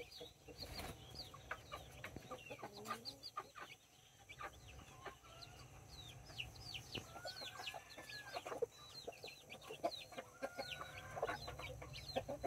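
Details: On October 24, 2024, two mother hens kept nine chicks, five of them Brahma and four mini. Many chicks peep continuously in high, falling notes, with occasional low hen clucks and a background hum throughout.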